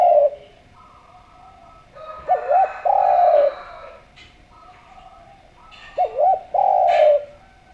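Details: Spotted dove of the Javanese type, cooing steadily as a calling lure; two matching phrases, each a quick wavering double note followed by a long, level, mellow coo, separated by a few seconds of near quiet.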